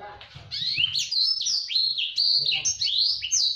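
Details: Fast, tightly packed song of a blacksang (blackthroat x sanger cross), used as master song for canaries: continuous high chirps and down-slurred whistles with rapid trills, after a brief quiet start.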